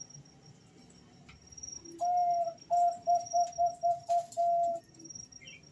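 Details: Two male Bangkok-type zebra doves answering each other: a run of short, clear whistled coos at one steady pitch, about seven notes ending in a longer held note, over a soft low hum.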